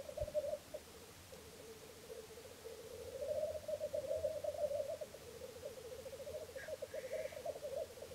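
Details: Three black grouse cocks displaying at a lek at Filsartrusket in Florarna, watched from a hide on the early morning of 17 April 2013; continuous low bubbling, rolling coos in long pulsed phrases, with a brief higher note near the end.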